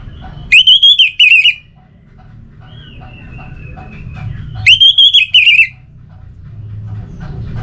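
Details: Orange-headed thrush recording meant to stir lazy caged birds into singing: two bursts of five or six loud, ringing whistled notes, separated by a thinner drawn-out whistle, over a low rumbling hum.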